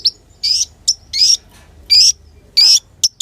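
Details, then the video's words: Olive-backed sunbird (kolibri ninja), a clear recording used to lure and tutor birds. Loud, high, buzzy rising chirps come in irregular bursts about every half second, with short sharp notes in between. "KONIN GACOR PANCINGAN DAN MASTERAN SUARA ASLI JERNIH"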